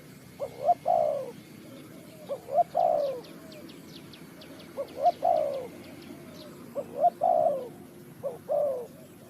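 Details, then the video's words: Bird-trapping recording of a Spotted dove from Ninh Thuận, Vietnam: four deep, rolling coo phrases with a swelling, downslurred last note, separated by pauses; a rapid series of thin, high ticking notes from another bird runs through the middle. "The Sound Of the dove,The Sound Of Cuckoo Bird,เสียงนกเขาใหญ่,Bird Trap,Cu gáy Ninh Thuận"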